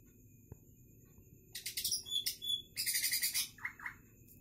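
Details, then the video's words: Wild-caught greater green leafbird singing: after a quiet opening second, dense bursts of rapid, chattering high notes, then a run of clear, repeated slurred notes with a few lower swooping whistles near the end, over a faint steady high hum. "Cucak ijo super masih liar hasil tangkapan paling gacor"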